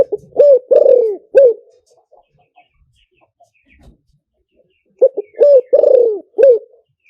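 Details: Spotted dove lure calling in liw tan style: two phrases of several low coos with a long rolling croo in the middle, separated by about three seconds of near silence.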